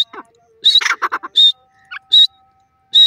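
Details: Grey francolin, known locally as teetar or dakhni teetar, giving loud harsh notes in clusters with quicker broken notes between them, repeated roughly every second and a half, with no other clear sounds.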